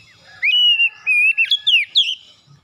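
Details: Morning oriental magpie-robin song used to prompt reluctant birds to sing with gusto. Loud level whistles, then a series of rapid up-and-down slurs and a high falling note, with faint soft chatter before.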